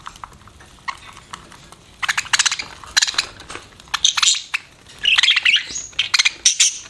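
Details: Pet budgerigar heard after a quiet opening: clicking ticks give way to scattered squeaky chirps and short chattering phrases, with a few bright whistled notes near the end.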